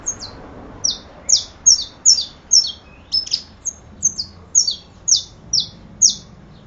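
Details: A saffron finch delivers a long series of piercing, high, descending chirps, about two per second, with one briefly buzzier, rougher note midway; background otherwise quiet.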